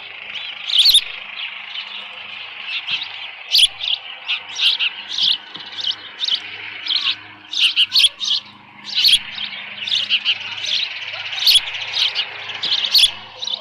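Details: Osprey at a nest at Dunrovin Ranch on 13 June 2018 around 11:37 AM, with leftover fish present. Sharp, high chirps come in quick clustered bursts, repeated through the recording over a faint low electrical hum.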